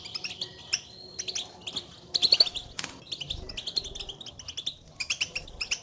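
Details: European goldfinches giving contact calls that announce their presence to each other, used to prompt a silent caged bird to sing; rapid high chirps and twitters in short clusters, one loud burst midway, steady overlapping calling.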